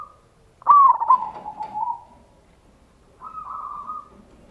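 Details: Zebra dove, a local perkutut, with a loud lure song for drawing out other doves. A sharp, loud trilled burst slides into a long descending coo, then after a silence a quieter level coo follows.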